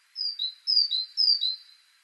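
A great tit sings three quick two-note phrases, a high whistle dropping to a lower one, like 'tea-cher, tea-cher, tea-cher', in a quiet setting.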